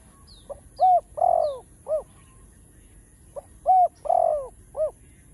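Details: Spotted dove giving the full song sequence (chiêu, thúc, gù styles): a low, hollow phrase of four coos, short, then two drawn-out swelling notes, then short, delivered twice about three seconds apart. Faint high chirps early, a steady thin high whine throughout.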